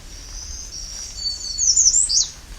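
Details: American redstart (Setophaga ruticilla) song in early-morning summer at Alvar Bay nature reserve, northwest Bruce Peninsula: a thin, very high series of quick notes ending in a sharp, piercing downslurred note, with soft background hiss.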